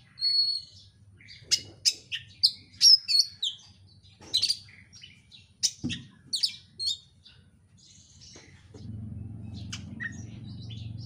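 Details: Oriental magpie-robin giving a fast, packed lure song to provoke singing: a string of sharp, high chirps and short buzzy whistles in quick succession, then quieter sparse notes as a low background hum rises.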